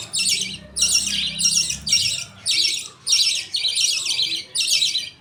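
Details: Budgie colony feeding, a father feeding millet paste to two chicks while the mother watches; rapid harsh squawk bursts, almost two per second, with faint low hum early on.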